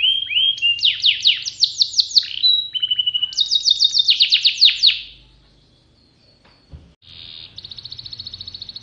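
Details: Canary of the type called kenari pocong, singing actively in a collection: fast rolling trills of high, falling whistled notes in several bursts, a short flat whistle, then quieter, before a thin buzzy trill at the end.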